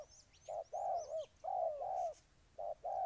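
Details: Brief burst of a Ninh Thuận spotted dove's soft, hollow coos, two long notes between short ones, with high squeaky chirps from another bird above.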